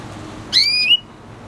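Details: Single clear whistled note from a red hooded siskin and canary F1 hybrid, rising smoothly and then holding steady for a moment before stopping abruptly.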